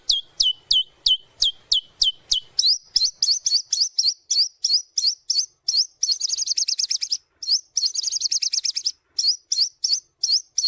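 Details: White-rumped shama song as a training lure: a run of sharp downslurred whistles repeated about every third of a second, shifting into fast rattling chatter and bright repeated trilled phrases.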